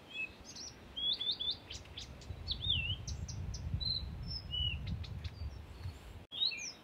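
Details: A Blyth's reed warbler sings at Far Ings Nature Reserve, UK, on 11 June 2020, a varied run of high slurred whistles and sharp chips, each phrase different, mimicking other species, over low background rumble.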